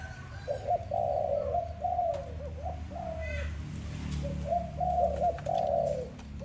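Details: Low hooting coos of a dove at morning, drawn-out notes with short gaps, over a faint low rumble in the background.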